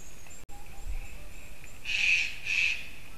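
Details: White-tailed eagle calling at 07:55 on 9 October 2019: two loud, harsh yelping notes about half a second apart near the end, after a quiet start. Steady hiss in the background.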